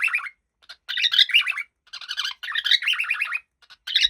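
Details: Chirpy, scratchy warbling from a happy cockatiel, delivered in rapid bursts of wavering notes with brief gaps between phrases.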